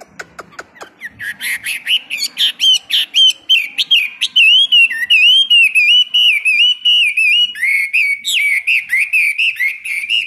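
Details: Morning song training of a caged Chinese hwamei kept as a hard-rack bird; a quick run of clicks opens a long, loud, continuous warble of fast, twisting whistled notes, sometimes dropping lower before rising again.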